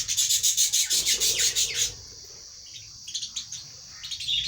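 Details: Lovebirds eating food: rapid raspy scratching pulses for about two seconds, then sharp high chirps in short bursts, over a steady high-pitched hiss.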